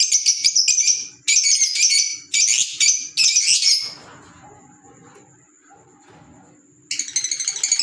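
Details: Green Fischer's lovebird calling: shrill, harsh chattering bursts come in quick runs through the first four seconds. A lull follows with only a faint low hum and a thin steady tone, then the rapid chatter resumes near the end.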